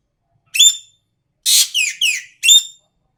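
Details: An Asian pied starling sings actively: a clear whistle, then a harsh scratchy burst with two falling slurred whistles, closed by another bright ringing whistle.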